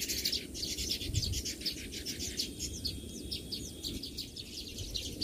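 A flock of Baya weavers keeps up a dense, high chattering of rapid, overlapping chirps, over a steady low rumble of background noise.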